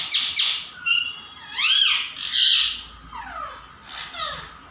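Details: Pet parrot calling with a run of varied sounds: rising and falling whistled sweeps, harsh squawks and a few descending slurred notes, irregular and loud, with quieter gaps between bursts.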